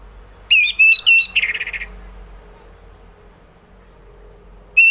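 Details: Ngeplong song of an orange-headed thrush, played to get reluctant thrushes singing in the morning: a short run of clear whistled notes ending in a quick buzzy trill, then quiet until one whistle starts again.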